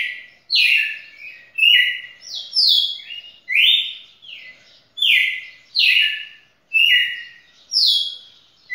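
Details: A champion red-cowled cardinal in a song lasting over two minutes sings clear, loud whistled phrases, each sliding down from high to mid pitch, roughly one per second in a steady run.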